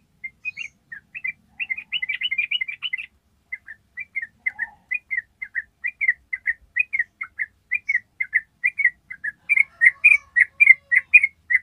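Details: Yellow-vented bulbul ropel, a long trill used to train other birds: an early fast stuttering trill, then a long steady series of chirped notes that grows louder toward the end.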